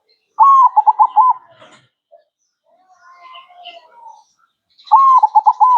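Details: Perkutut, the zebra dove, singing steadily for a masteran training recording: two soft cooing phrases, each opening with a drawn-out note and ending in four rapid rolling coos, separated by quiet chirps and light bird chatter.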